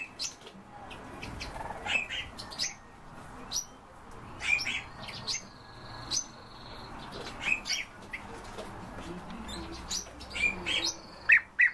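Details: European bee-eater calls, louder and frequent: clipped chirps and sharp notes tumbling out at an uneven pace, with a drawn-out whistled tone in the middle and faint ambient hiss.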